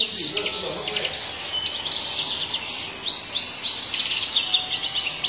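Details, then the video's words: European goldfinch in the sharmar singing style, described as strong, error-free song: a dense, fast high twittering with jangling notes over a steady background hiss. "مقنين شرمار قوة وغناء خالي من الأخطاء"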